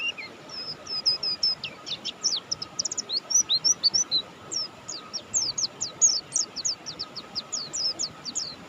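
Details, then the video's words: Mountain white-eye called Buxtoni, singing lively: long run of sharp high chirps and quick whistled slurs, several clustered phrases with brief gaps, steady hum in the background. "suara burung pleci Buxtoni gacor"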